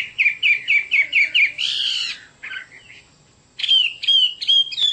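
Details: Chinese hwamei song: a rapid series of short whistled notes, a harsher burst, a quiet gap, then more sharp rising whistles.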